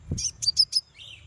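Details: Konin calling to provoke a rival bird: four quick, high, sharp chirps in a tight burst, trailing into a softer, lower buzzy note, with a faint low knock at the start.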